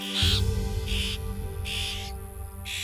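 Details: Florida scrub-jays in Florida in spring, the parents, older siblings and cousins near a nest with hatchlings, give harsh, scratchy alarm calls meaning "get out of here" about every half second to second, over steady background music.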